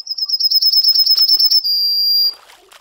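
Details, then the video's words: Yellowhammer (Emberiza citrinella) song phrase: around fifteen quick, high repeated notes followed by a long sustained final note, then fading soft sounds. "Yellowhammer Singing (Emberiza citrinella)"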